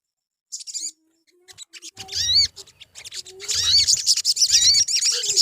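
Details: Crimson sunbird song used as a lure to make birds sing: starts with a brief high chirp burst, then dense, rapid, high-pitched twittering with rising and falling whistled notes that builds into a continuous chatter.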